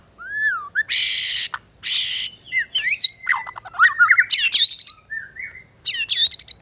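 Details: White-rumped shama song played to prompt other birds to sing: rich varied phrases of clear slurred whistles, rising and falling notes, harsh buzzy bursts and rapid chattering runs, delivered loud and continuous with brief pauses.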